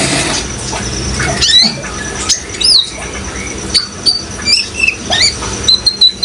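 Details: High thin chirps and short looping squeaks from young kolibri ninja sunbirds in speckled and green immature plumage, irregular and scattered, set against a steady rush of water.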